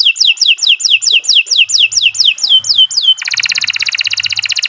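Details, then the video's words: Canary song, a long, lively lure recording meant to get other birds singing: a run of repeated down-slurred whistled notes, then a fast buzzy rattling trill. "Kicau Burung Kenari 151 II LUAR BIASA GACOR PANJANG Cocok untuk Masteran"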